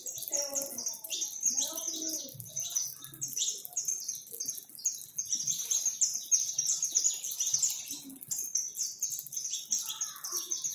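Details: A crowd of more than 100 free saffron finches in a backyard, fed and singing, gives a steady dense chorus of high, sharp, overlapping chirps with no pause.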